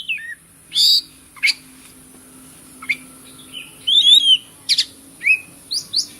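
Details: Oriental magpie-robin singing, recorded for birds that have gone quiet: loud harsh bursts alternate with short whistled notes and a tight cluster of swooping warbles, over a constant thin high hiss.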